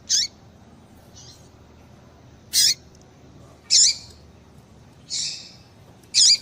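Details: Female Papa-capim (seedeater) call, played to excite a male into singing: short high squeaky chirps with a lower tail, given singly at irregular gaps of one to two seconds, over a quiet background.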